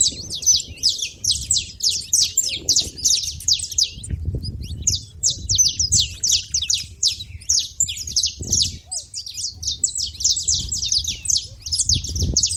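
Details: Many saffron finches at a feeder keep up continuous chirping, a dense wall of short, sharp, high notes with only small breaks, over a low rumble.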